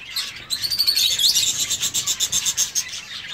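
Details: Zebra finch in an aviary giving a fast run of high, nasal, buzzy call notes, about two to three per second, loud and close, over fainter chatter from other birds.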